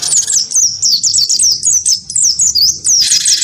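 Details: Cinereous tit, wingko type, in full fighting song against a white-eye: an unbroken run of sharp high whistled notes, each sliding downward, ending in a harsh buzzy burst.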